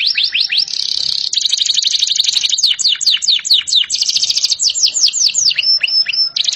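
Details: Canary singing a loud, fast series of tours: quick downward-sweeping whistles, a buzzy rolled trill, then rapid repeated notes and short clear whistles, phrases changing every second or so.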